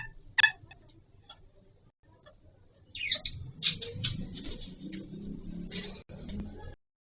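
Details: Green ringneck parakeet, kept as a pet, calling during breeding-season mating time: one sharp squawk, then a series of rasping, clipped notes over a low rumbling background.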